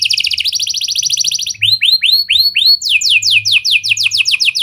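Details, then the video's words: Gacor canary singing in a cengkok style that mixes in lovebird and prenjak phrases, used as a lure to get other canaries singing long: fast high rattling trills, then a run of downward-swept whistles, then rapid falling buzzy notes. "Kenari Gacor Cengkok Lovebird & Prenjak! Ampuh Buat Pancingan Kenari Lain Agar Gacor Panjang"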